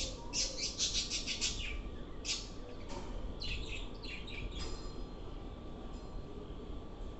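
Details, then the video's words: Lovebirds calling: bursts of sharp, high chirps and squawks, rapid at first, then scattered short notes over a steady low hum. "Love birds sounds ||Beautiful love birds sounds"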